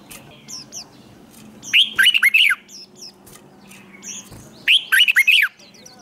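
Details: Red-whiskered bulbul singing in fired-up competition style for training: two loud, quick phrases of slurred, falling whistled notes about three seconds apart, with faint high, thin chips between and a low steady hum behind.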